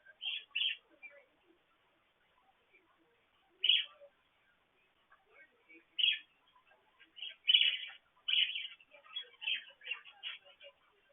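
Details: Caged budgerigars on a morning petcam recording near a water fountain: short, sharp chirps spaced by quiet gaps, first a pair, then single calls, becoming a denser string of high, clipped tweets toward the end.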